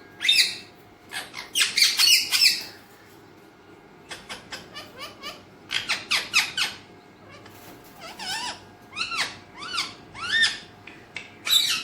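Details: An Alexandrine parakeet, kept as a talking parrot, gives bursts of harsh, harmonic squawks and chattering notes in clustered groups, separated by short quiet gaps, with a faint steady hum underneath.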